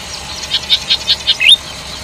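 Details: Golden-headed cisticola singing a sweet-toned phrase: five short buzzy high notes in quick succession, then a sharp upward-slurred note to finish, against a quiet background.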